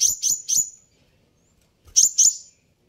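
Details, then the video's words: Three rapid piercing sunbird chips, a second of silence, then two more; very high, sharp notes played to draw an angry response from sunbirds. "suara ini bisa bikin Kolibri ninja naik pitam"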